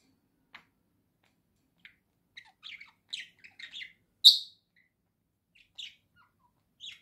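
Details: Pet budgerigar chattering: scattered short scratchy chirps and squeaks, one louder sharp chirp near the middle, with quiet gaps between and no other sounds.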